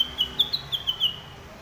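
Sumatran leafbird giving a quick run of six clear, high chirps over about a second, slightly rising and falling, then falling quiet.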